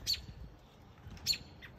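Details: American robin nestlings, only days old, in a nest along a garden fence line, crying for food: two short, high, harsh squawks about a second apart over a faint low background rumble.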